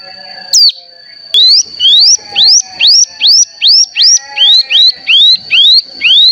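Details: Cigun (mountain tailorbird) lure call: after one downward note, a regular series of clear, upward-curving whistles, about two per second, over a continuous thin high tone.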